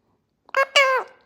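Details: Pet Indian ringneck parakeet talking in Gujarati: two short, nasal, harmonic syllables, the second longer and falling in pitch, in a quiet room.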